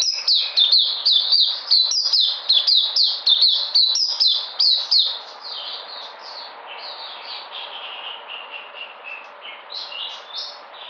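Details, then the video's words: White-eye recorded 13 February 2020 coming back into energy: loud, fast high chirps for five seconds, then faint, scattered twittering notes with occasional louder bursts. "Puteh Sunday coming back in energy 13022020"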